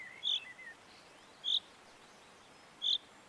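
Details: Common chaffinch recorded in the Montes de León, León, Spain, in March 2022, giving three short, sharp, high call notes about a second and a half apart, over faint background hiss and a soft twitter at the start.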